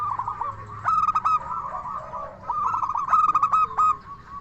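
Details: Zebra dove, local type, singing the clear 'crystal voice' song used to lure and excite other doves: rapid runs of short, ringing coo notes in two bursts, with softer rolling coos of neighbouring doves underneath.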